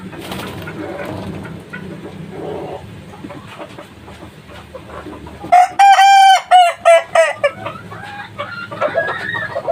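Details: A kukuak balenggek chicken only three months old, after several seconds of low background clucking and noise, bursts into a loud, segmented crow of rapid, pulsing syllables that fade into softer calls.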